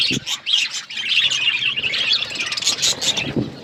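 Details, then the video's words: Several budgies chirping on February 18, 2024, with warbling, squeaky chatter and short whistled notes running together, plus a couple of low knocks at the start and end. "budgies bird birds chirping sounds"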